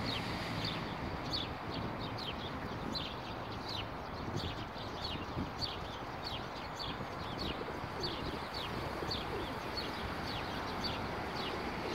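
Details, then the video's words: Plump sparrows sitting in bushes beside a street bench near Vavilova street, recorded 12 April 2019: thin, high, downward chirps repeated about every half second for twelve seconds, set against a constant city traffic hum. "пение воробьев"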